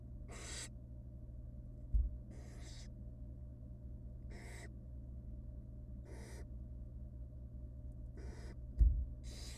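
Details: Wild barn owl chicks hiss for food as the female delivers tiny rabbit pieces in their nest box; about seven coarse, breathy screeches at uneven intervals, two dull knocks, and a continuous low hum.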